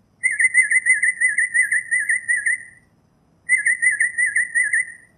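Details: Northern mockingbird giving a long warbling whistled trill of rapid wavering notes lasting over two seconds, followed after a pause by a second similar trill.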